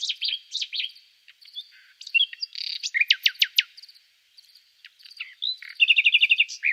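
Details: Varied nightingale song: high whistles and chirps, a scratchy rasp, several sharp, sweeping clicks, then a fast, bubbling trill of repeated notes at the end.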